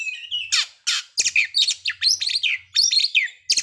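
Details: Oriental magpie-robin song intended to provoke breeding condition and aggression, heard as short explosive harsh bursts and bright whistled flourishes, with a faint low hum underneath.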